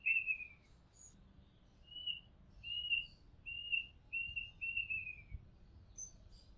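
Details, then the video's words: Oriental magpie-robin recorded from a home rooftop, giving a series of clear, slightly falling whistles about once a second, with occasional thin high notes between them over quiet background hiss. "Oriental Magpie Robin Sound Long play | เสียงร้องนกกางเขนบ้าน"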